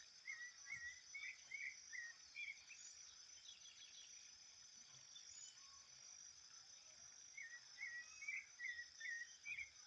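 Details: Thrush singing outdoors in nature: clusters of whistled notes at the start and end, separated by a quiet gap, over a continuous high insect hum.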